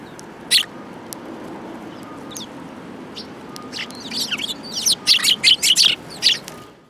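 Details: Sparrows gathered at food at a Tenmangu shrine, recorded 22 January 2018. A few isolated thin chirps open, then several birds break into a rapid run of loud overlapping chirps over about two seconds before fading.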